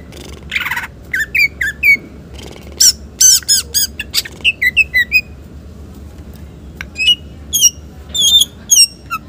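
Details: Green leafbird in full song, a rich mimicry-filled repertoire used for prompting and tutoring other birds: sharp clipped chirps, sliding whistled notes and quick buzzy bursts in irregular clusters, some notes dropping downward, over a low steady hum.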